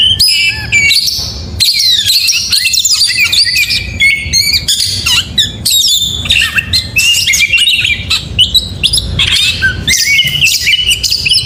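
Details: Oriental magpie-robin in full morning song, a fast, unbroken jumble of high chirps, sharp whistled sweeps, trills and harsher notes, energetic and varied for over ten seconds, used to make other magpie-robins join in singing.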